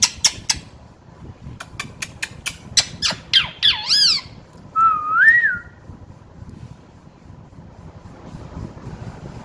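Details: Pet parrot, recently learning to whistle, gives a quick series of sharp clicks and harsh squawks, then a single wavering whistle that dips and rises, followed by quiet room hum.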